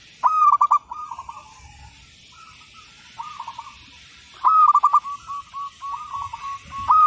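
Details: Zebra dove, local type, in active song for training use: loud clipped stutter-coo phrases, each a burst of quick rolled notes fading into softer descending coos, repeated three times.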